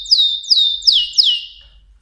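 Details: Mosaic canary giving four clear high whistled notes, each sliding steeply downward, spaced about a third of a second apart.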